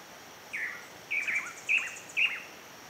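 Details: Pallid spinetail at nest building, out of the classic breeding season: four clear chipping notes about half a second apart, each bending downward, set against a constant high-pitched insect drone.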